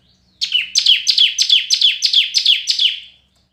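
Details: Red-whiskered bulbul in competitive singing: a clear burst of about eight bright, high notes, each dropping sharply in pitch, delivered at an even pace of roughly three per second against a quiet background.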